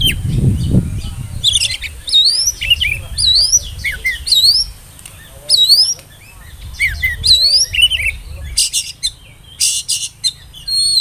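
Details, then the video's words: Oriental magpie-robin whistling as a lure to get young birds singing: varied rising and falling whistled phrases with sharp chirps, low rumbles at the start and between phrases. "pancingan suara burung kacer bersiul"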